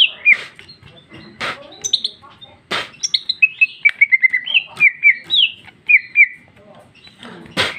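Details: Female greater green leafbird singing in the loud, open ngeplong style with rich isian phrases: a run of short, clear whistled notes slurring downward, repeated several times a second, broken by sharp broadband clicks and rustles.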